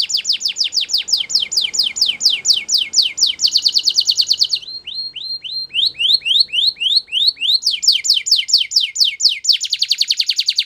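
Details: A Belgian canary, singing as a model for young canaries, pours out continuous fast descending trills, breaks into slower looping whistles, then returns to quick rolling tours.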